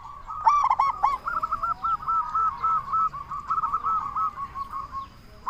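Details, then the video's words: Loud local zebra dove used to draw other zebra doves into replying. A brief stuttered burst is followed by a long, steady run of quick, even cooing notes that keeps going for several seconds. "Perkutut Lokal Gacor SUARA BESAR Ahlinya Bikin Semua Burung Perkutut Langsung Nyaut"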